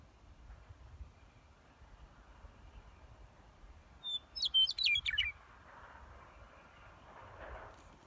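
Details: Western meadowlark (Sturnella neglecta) on a green harvester, Rocky Top area, Washington, sings one short bubbly phrase of flute-like whistles tumbling downward, over a low rumble of wind or distant machinery.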